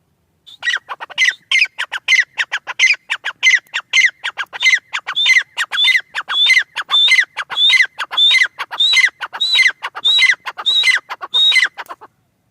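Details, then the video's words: Francolin (teetar) calling: a steady run of sharp, squawky notes at about 97 per minute over twelve seconds. The notes carry a bright ringing tone that steadies and rises slightly toward the end, with no other sounds. "Teetar ki awaaz | Teetar sound | francolin teetar sound"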